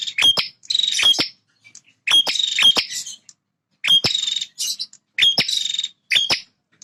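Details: Singing male bar-winged prinia defending its territory: repeated buzzy, rattling high phrases of about half a second, each preceded by two or three sharp clicks, given in four clustered groups against a quiet background.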